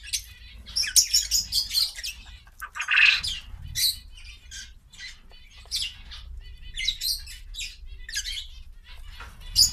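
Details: Pet quails eating vegetables: short harsh squawky chirps come in quick bursts, with one louder buzzy squawk midway, amid clicking pecks and a soft low rumble.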